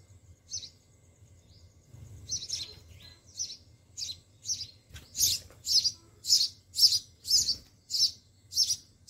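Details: Nestling sparrows fed by their mother in a garden sparrow house: a few scattered thin chirps, then a rapid, loud, regular run of high chirps about two per second in the second half.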